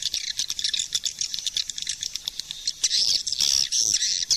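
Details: Swiftlet, 2020 suara panggil calling sound: choppy, high chirps at first, then longer continuous buzzy chatter in the second half.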